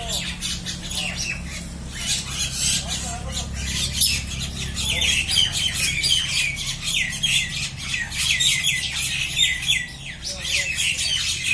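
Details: Fighting common mynas, known locally as salika, produce a rapid nonstop barrage of harsh rasping squawks and chattering screeches, with a low background hum throughout.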